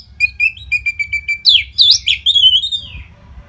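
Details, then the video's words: Orange-headed thrush, a kept songbird from North Bali, Singaraja, singing continuously without pause, used to train competition fighter birds: a run of short repeated whistled notes, then louder varied warbling phrases sweeping up and down, ending in a trailing whistle; faint low hum beneath. "SUARA MASTERAN ANIS MERAH GACOR RAPET NO JEDA INI UNTUK MELATIH FIGTHER BURUNG AGAR SELALU FIT"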